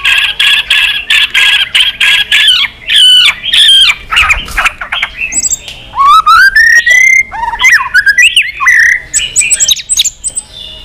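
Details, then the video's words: Varied fighting song from a white-rumped shama flicking its tail. Rapid harsh repeated notes give way to a rich medley of slurred, rising whistles and quick mimic-like flourishes, loud and continuous. "chòe lửa hót nhiều giọng kích bổi hót đấu"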